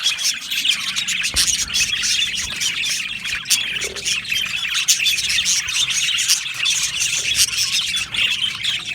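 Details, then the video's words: Crowded budgerigar aviary, with many birds chirping at once: rapid squawky chirps, clicks and warbling twitters in a steady high chorus throughout. "Beautiful Budgies chirping sounds"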